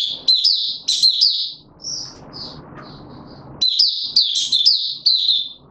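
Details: Caged male white-eye giving its opening song while being brought into form, 31 December 2021: sharp high warbles, then softer scattered short notes over low rustling, then a renewed burst of loud rapid twittering.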